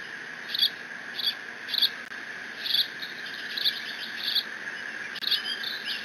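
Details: Eaglet of bald eagles at Decorah, 30 June 2017, guards its father's fish delivery by mantling and squeeing. Shrill chirping notes repeat at short, slightly uneven intervals, with a couple of faint knocks and steady hiss behind.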